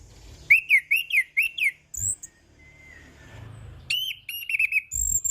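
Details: Orange-headed thrush singing 'ngeplong' style, a run of five bouncy looping whistles, a high squeak and a thin drawn-out whistle, then another quick series of trilled whistled notes.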